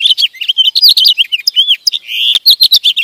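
Sparrow and goldfinch song: a quick, unbroken twitter of high, varied notes, with tinkling trills and short slurred whistles mixed with a few sharper chirps.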